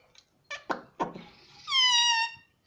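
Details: A caged pet Indian ringneck parrot calls at home. A few sharp clicks come first, then one long, loud, slightly falling tonal note.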